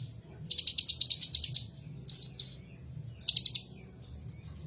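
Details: Ninja sunbird giving a high, rapid stuttering trill, then two thin sustained whistles and another short trill burst, ending with a faint rising whistle.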